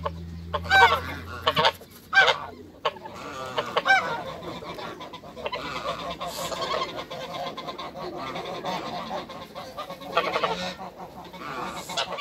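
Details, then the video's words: African and Toulouse geese on a farm, met by people: a few loud, harsh, nasal honks in quick bursts during the first three seconds, then quieter scattered honks over a noisy background. "MEETING AFRICAN & TOULOUSE GEESE"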